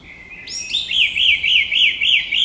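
Song thrush singing a high, clear phrase made of one wavy, whistled note repeated about four times a second, with no other sounds.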